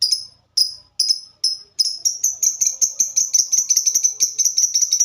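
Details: Lovebird kept as a fighter-type songbird giving its 'typing' song: a few separate high sharp notes, then a fast, even run of dry ticking notes at the same high pitch, like keys being struck.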